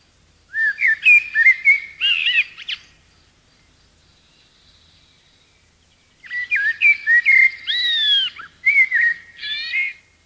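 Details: A common blackbird gives mellow, fluting whistled phrases with downward and upward slurs and brief high twitters, in two bouts of about two to three seconds split by a long silent gap.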